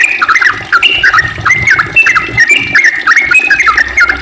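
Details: Sooty-headed bulbul delivering a long chattering ropel song, bright whistled notes bouncing up and down in quick, uneven phrases with scarcely a gap.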